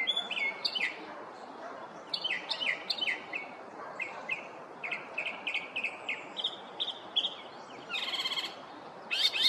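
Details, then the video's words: Northern mockingbird in a neighborhood on a morning, mimicking other birds: varied bright chirped phrases repeated in quick groups of two to four, shifting in pitch, with a burst of harsh buzzy notes near the end. "Northern Mockingbird"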